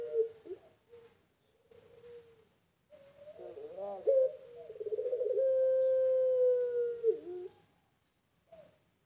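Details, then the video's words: Farm-kept Barbary dove of the pelung kind. Short low coos lead into a bubbling, rolled rise and then a long sustained, steady coo of about three seconds that drops at the end. A faint single note follows. "Puter Pelung Paud"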